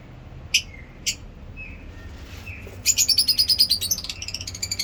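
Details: Lovebird sounds: two isolated piercing chirps and a few soft high notes, then a fast run of squeaky, rhythmic chattering calls repeated several times a second until the end.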